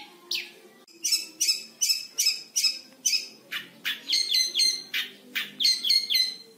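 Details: Long-tailed shrike, five months old, in training to imitate lovebird and canary; one rising squeal, then a steady series of harsh, buzzy chattering notes followed by quicker descending squeaky phrases.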